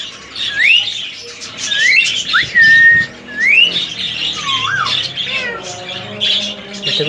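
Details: Three-year-old semi hand-tamed male rose-ringed parakeet kept as a pet, giving clear whistles that sweep upward and level off, mixed with harsh squawky chatter and busy background noise.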